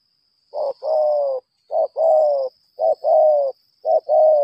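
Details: Close, loud spotted dove, a lambung kuk-style decoy, giving a long fighting display: four clear two-part coos, a clipped note and a longer steady one, repeated about once a second, with a faint high whine.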